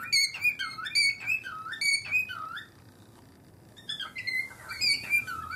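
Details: Indoor pet cockatiels, two birds, giving their odd learned rhythmic call that one begins on seeing its owner's feet; clear whistled notes with falling-rising bends repeat roughly every half second, pausing briefly before resuming.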